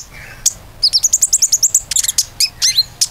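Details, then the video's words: Common iora song intended to lure other birds into song: a fast, evenly paced run of high sharp notes, followed by mixed chirps and short slurred trills. "PANCINGAN KONIN GACOR AMPUH"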